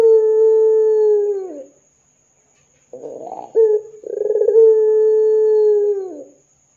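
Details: Lure call of a ringneck dove, intended to make other doves join in: a long level hollow coo that drops away, a pause, a rough rolling burr, then a second long coo ending in a downward slide.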